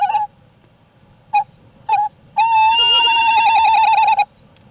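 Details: Tawny owl at a nest during brooding in below-freezing weather gives three short mid-pitched hoots, then a long, wavering, quavering note of about two seconds, with faint background hiss; the calling female on eggs is hungry, awaiting her mate's food.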